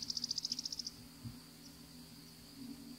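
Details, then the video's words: Savannah sparrow, a winter visitor to Florida, one bird perched for minutes: a single high buzzy trill of about a dozen quick pulses lasting under a second, then only a continuous insect whine. "Savannah Sparrow Calling"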